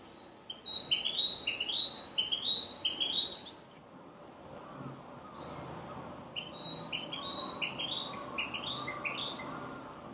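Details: Narcissus flycatcher singing unseen at Miho Citizens' Forest; two bursts of quick, high, rising whistled phrases repeated several times each, over a steady hiss of background noise.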